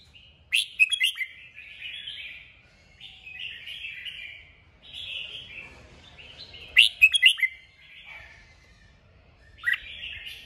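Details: Singing red-whiskered bulbul, stimulated to perform, delivering repeated bursts of sharp emphatic notes every few seconds, each trailing into rolling whistled warbles, over a quiet background.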